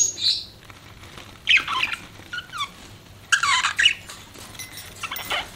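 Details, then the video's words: Pet budgerigar giving scattered chirps and squeaky warbles in short bursts separated by brief pauses. "CUTE BUDGIE PARROT"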